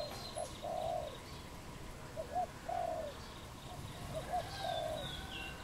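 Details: Cooing of a wild dove in Cambodia on 22 April 2020: low, mellow hooting notes in loose groups, short clipped coos leading into longer drawn ones, over a quiet rural backdrop with distant thin chirps.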